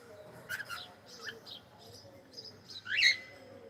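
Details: Pet cockatiel saying hello, giving a few soft chirps then one loud upward-sweeping squawky call near the end, over a quiet room hum.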